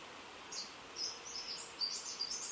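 A male greater double-collared sunbird gives a quick run of very high, thin, twittering chips, several notes a second, over soft outdoor hiss.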